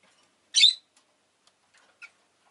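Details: Rosy-faced lovebird, recorded amid city traffic and bicycle sounds, producing one loud, rasping chirp followed a moment later by a faint, thinner note, with near silence between.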